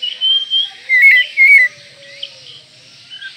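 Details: Oriental magpie-robin in breeding condition, singing to provoke rivals: a few loud whistled phrases near the start, gliding and slurred, then a quiet stretch with a faint low hum.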